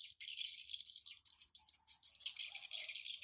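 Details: Swiftlets flocking in and out of a simple nest hut, morning of 14 August 2018 at 07:25; fast, crowded high chirps and dry clicking rattles, with faint lower twitters near the end.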